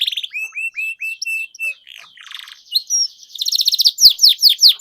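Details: Canary singing as a prompt for silent birds: a series of short level whistles, a soft buzzy passage, then loud rapid trills of descending notes.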